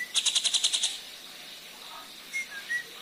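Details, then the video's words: Black drongo lure song meant to make other birds sing: a rapid burst of about eight harsh, buzzy, evenly spaced notes, then a pause and a couple of soft, short whistles. "Burung srigunting kantil hitam | srigunting bukit gacor | pancingan"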